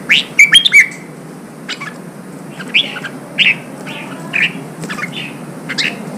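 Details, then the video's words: Red-whiskered bulbul phrase for stimulating wild-caught birds to sing: one loud, quick warbled burst at the start, then softer short chirped notes spaced about every half second, over a low hum. "Kích chào mào bổi hót, kích bổi sổ giọng, luyện chào mào hót đấu"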